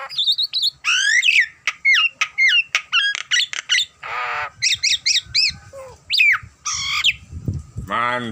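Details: Nias hill myna in vigorous, nonstop song, mixing sharp descending whistles, clipped ticking notes, harsh throaty squawks and repeated paired chirps in quick succession, ending on a rich buzzy call; a soft background hum is heard.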